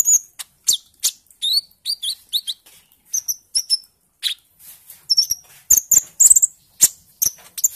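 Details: Young olive-backed sunbird at an early green-speckled plumage stage after juvenile plumage, used as lure song to prompt birds to sing: rapid thin high chirps and short downslurred whistles alternating with crisp clicking ticks.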